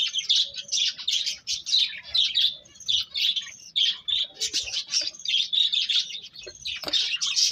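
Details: Lively bird chirping, a steady stream of high squeaky tweets with thin whistled lines threaded through, barely pausing.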